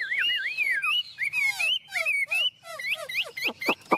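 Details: Tame Chinese hwamei in full song: looping, fluid whistles rising and falling, some rapid trilled passages, finishing with sharp downward-slurred notes.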